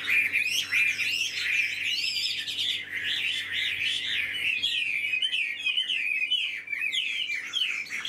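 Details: A caged, hand-tamed hwamei pours out continuous melodious song, bright whistles twisting and rolling over one another in quick succession, steady and loud throughout.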